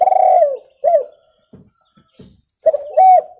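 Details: Clear spotted dove calling for luring birds: a long purring, falling coo, then a short arched coo, some faint rustles, and another phrase of arched low coos.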